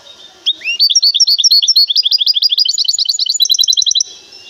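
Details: Song of a caged goldfinch hybrid from Temara, Morocco: a loud, continuous stream of quick twittering notes, some rising and some slurring down, packed tightly for over three seconds.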